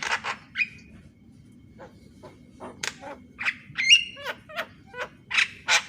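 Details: Morning song of a Javan myna used as a training recording: scattered harsh chattering notes and rasps, a few short whistles and a bent whistled note, separated by quiet gaps over faint low background hum.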